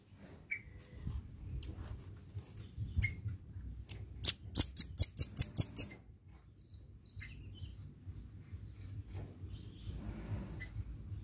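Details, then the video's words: Velvet-fronted nuthatch in full song, a short burst of about eight high, clipped notes in quick succession, set among quiet low rumbling and a few faint distant chirps before and after. "PANCINGAN BUNYI BURUNG RAMBATAN PARUH MERAH GACOR"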